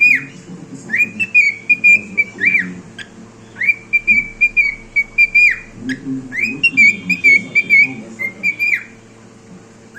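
A cockatiel whistles a sequence of clear, warbling phrases with rising and falling slurred notes.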